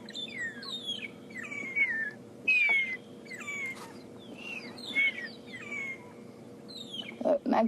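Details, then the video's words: A family of magpie shrikes, cooperative breeders roosting together in trees, chirping and whistling in their dawn chorus: overlapping high, falling and sliding whistles tumble over one another, ending with a few harsh rustling bursts. "And if you're hearing the whistling next to me, there's also a family of magpie shrikes that are chirping away,"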